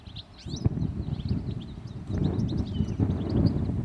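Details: European goldfinch, a single bird perched on a wire over the road up to Redmires in the Peak District, UK; fast, liquid twittering of short high chirps and trills throughout, over a steady low rumble.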